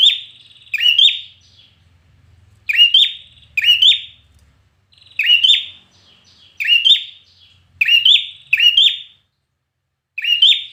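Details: Red-whiskered bulbul in trained competition song: clear whistled phrases with an upward flick, often given in quick pairs, then pauses of one to two seconds, over a quiet, faint low rumble.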